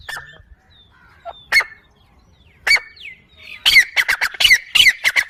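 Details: Partridge call built from a few spaced sharp notes, then a quickening burst of loud, rasping clipped notes repeated rapidly in the final second and a half.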